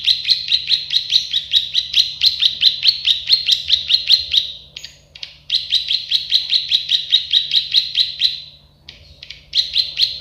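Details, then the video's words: Tutor recording of a plain prinia (prenjak sawah, klik-klik bird): two long even trains of buzzy notes, a little over two per second, separated by brief gaps, with a faint steady hum beneath. "Masteran burung prenjak sawah klik-klik"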